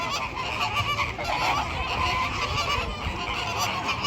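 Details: Flamingos, apparently a zoo flock, calling together in a dense, continuous honking chorus of overlapping nasal, goose-like notes with no single bird standing out.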